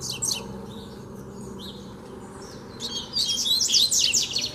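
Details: Wild double-collared seedeater provoking a caged male, giving a fast, dense burst of high trilled and whistled notes after a quieter stretch of faint chips.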